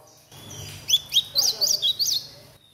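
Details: Chestnut-bellied seedeater chick raised in captivity sings a blue-black grosbeak imitation, one clear phrase of six or so high, whistled, up-and-down slurred notes in quick succession, ending abruptly.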